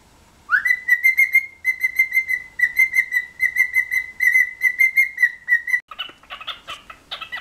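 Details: Cheeky, playful pet cockatiel whistles a tune of steady, repeated pulsed notes after a rising opening note. The whistling ends in a burst of harsher, higher chirps and squawks.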